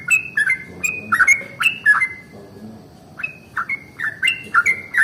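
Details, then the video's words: Morning song of a yellow-vented bulbul, meant to spur other bulbuls to sing: clusters of liquid, gurgling whistled notes in two bursts separated by a short quiet gap, over soft low background rumble. "SUARA trucukan ROPEL PANJANG pagi hari | Rajanya bikin trucukan lain gacor"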